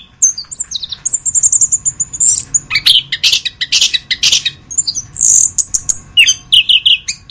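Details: Song of an orange-headed thrush (anis kembang), masteran type: thin high sustained whistles, then rapid rhythmic chirps and bursts of broad noisy notes, closing with short whistled phrases; low hum behind.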